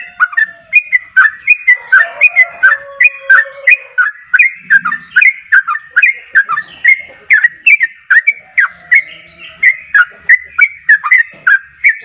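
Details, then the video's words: Trucuk, a yellow-vented bulbul, in full persistent song: a rapid, steady series of short, clear whistled notes, each rising or dipping, repeated about twice a second, with sharp clicky high ticks between them. "trucuk anda pasti langsung nyaut gacor dengar trucuk ini"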